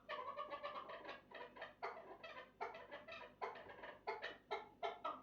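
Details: Chukar partridge uttering quick, irregular clucking notes, some run together and others spaced, with a hoarse, grating tone throughout.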